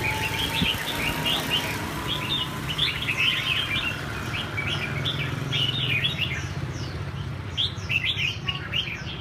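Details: Red-whiskered bulbul during a training session, giving bright, warbled chirping phrases in quick bursts, some overlapping, over a steady low rumble like passing traffic and a faint thin whistle-like tone.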